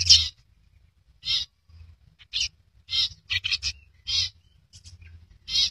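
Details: Rare albino long-tailed shrike with red eyes giving harsh, raspy, noisy bursts, about seven spaced irregularly across six seconds with short silent gaps between them; faint low hum underneath.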